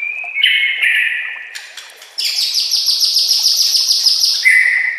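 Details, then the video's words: Training song of a white-rumped shama for caged birds. A steady whistled note is followed by a fast, regular buzzy trill of about twenty repeated notes, closing with a clear whistle. "SEKETIKA PASTI NYAUT dan GACOR bila murai batu anda dengar suara MASTERAN burung seperti ini"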